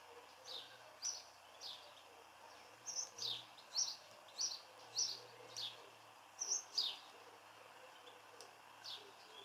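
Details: House sparrow displaying in a garden: short, bright, high chirps repeated irregularly, roughly one every half second to second, some doubled, over a soft steady background hiss.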